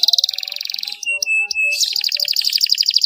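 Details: Canary song meant to prompt reluctant canaries into singing: a fast buzzy trill, then a few sustained pure tones, then a dense rapid rolling trill.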